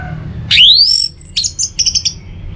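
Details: Orange-headed thrush song used as a lure to get other birds singing, North Bali: a sharp rising whistled sweep, then a quick string of high chirping bursts over a soft background hum.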